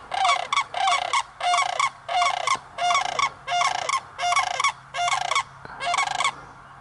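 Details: Sandhill cranes calling while dancing: loud, rattling, rolling calls rich in harmonics, given in nine steady bursts of under half a second each, roughly every 0.7 seconds, with a low hum underneath.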